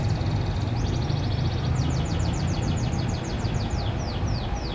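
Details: A farm-bred canary sings in the morning: a buzzy rapid rattle, a flat trilled roll, then a series of clear falling whistles that gradually slow, all above continuous low rumble.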